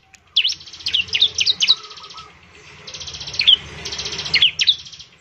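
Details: Bar-winged prinia singing steadily to prompt other birds of its kind: two bursts of buzzy, pulsed high trilling broken by quick swooping V-shaped whistles, with a soft lower note near two seconds.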